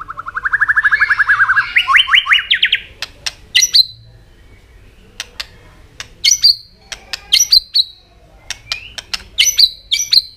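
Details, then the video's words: White-rumped shama singing to provoke other birds: a long accelerating series of rising trilled notes that climbs higher, then scattered sharp clicks paired with brief high whistled notes. "kích chòe lửa hót cực sung.chòe lửa hót tạch liên tục kích thích chim ức chế"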